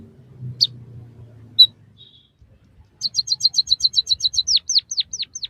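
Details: White-headed munia (emprit kaji, bondol haji) song used as a training recording for captive birds: a few faint high chips, then a fast run of about twelve sharp high ticks, then five whistled notes sweeping steeply downward.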